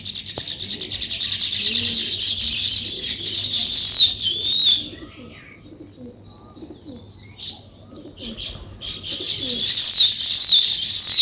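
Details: Morning chirping of sparrows with weaver birds at a nest: a loud rapid wall of high chirps, sharp descending whistles, a quieter gap with scattered notes, then the dense chatter returns.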